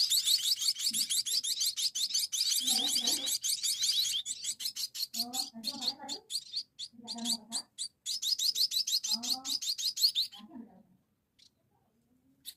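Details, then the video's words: Munia chicks begging while being fed, with dense, high, rasping chirps that alternate with low gulping or handling sounds, then fade to near silence at the end. "Kasi Makan anak Burung Emprit"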